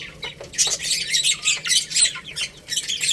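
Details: Baby chickens eating rice, with loud, bright chirps sweeping downward in quick clusters, several chicks calling at once. Light clicks of pecking sound between the calls.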